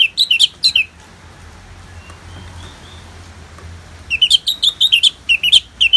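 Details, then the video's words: Ngeplong song by an orange-headed thrush, part of a therapy recording with natural rain: a fast cluster of looping whistles, a three-second gap of soft hiss, then a longer chattering series of rising and falling whistled notes. "Terapi ANIS MERAH Ngeplong dan Suara Hujan ALAMI"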